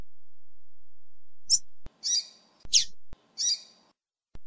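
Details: Female double-collared seedeater (coleiro) recorded with male tui tui song used for warming up; a few sharp high chirps and short buzzy notes separated by abrupt gaps, over a steady low hum.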